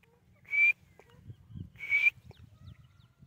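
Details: Two loud raspy bursts about one and a half seconds apart from a white teetar francolin, each carrying a short upward-sliding whistled note, over a low rumbling background and light bird chirps.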